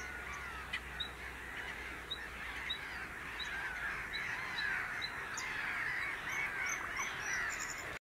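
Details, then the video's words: Bluethroat singing at the Grand Voyeux nature reserve in 2021: a fast, continuous warbling chatter of varied, rapid notes, with sharp high ticks repeated through the phrase. "Chant de la Gorgebleue à miroir / Bluethroat"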